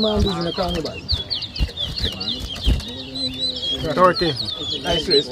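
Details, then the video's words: Towa towa birds whistling in a 2023 competition at New Amsterdam, Berbice, Guyana: bright, rapid, downslurred high notes repeat continuously as people talk loudly nearby. "TOWA TOWA BIRD WHISTLING COMPETITION"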